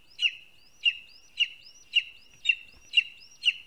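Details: Lesser spotted eagle chick at a nest in a spruce in Latvia, live nest camera, 12:25 pm on 2 August 2020, as a parent brings a vole: high, thin, whistled notes with a short rising upsweep, repeated about every half second, seven times.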